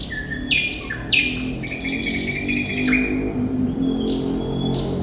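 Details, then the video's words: Thrush nightingale song, likely a kept bird: clear whistled notes at varied pitches, a dense rattling buzzy burst in the middle, then sustained high whistles, over a steady background hum. "Sikatan Londo Thrush Nightingale Gacor"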